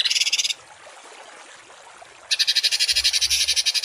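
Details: Harsh songbird shots, 'tembakan kasar', meant to teach cage birds rough variations; a short grating rattle, nearly two seconds of near silence, then another fast buzzy burst over a faint low hum.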